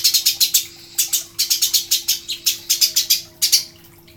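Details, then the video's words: Eurasian tree sparrow chirping, used as a master song for training songbirds; rapid high, sharp chirps in quick runs of about four per second, broken by short pauses, with a faint steady hum beneath. "masteran burung gereja"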